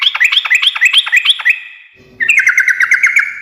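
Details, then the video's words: Rapid looping chatter of rising and falling chirps from a sooty-headed bulbul singing 'gacor ngekek', followed by a lingering fading tone. A second quick run of bright stuttered notes breaks in after a brief lull. "kicau suara trucukan gacor ngekek garuda menjadikan burung nyaut seketika"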